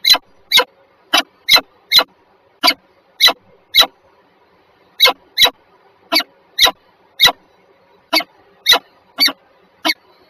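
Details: At Warsaw's Żerań, Poland, on the morning of 14 February 2023 at 7:47, two peregrine falcons give about eighteen short, grating notes. They come singly or in quick pairs, with a gap of about a second mid-sequence.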